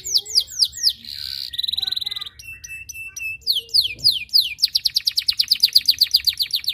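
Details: Canary in full, insistent song, chirping to draw rivals into singing: rapid high buzzy trills and sweeping rising-falling notes repeated about four per second, shifting into a fast even rattle of notes near the end.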